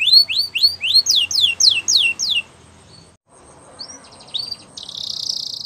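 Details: Belgian canary singing for young canaries to learn from, a run of loud rising whistled notes repeated about four per second, then a pause, a few faint notes and a soft buzzy trill.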